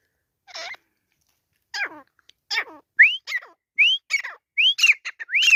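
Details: Grey francolins fighting, from Pakistan: harsh, descending squealed notes at first, then quickening upslurred whistles mixed with sharp clicks and chatter, about 76 notes a minute in uneven rhythm.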